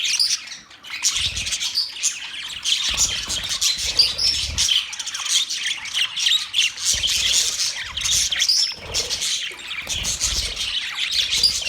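Several budgerigars keep up a busy stream of bright chirps, squawks and warbling chatter.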